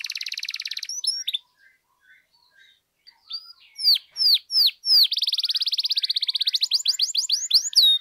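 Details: Canary song for provoking other canaries to sing, with a buzzy trill, then a quiet gap with soft notes, a few loud falling whistles and a final long buzzy trill turning into rapid chirps.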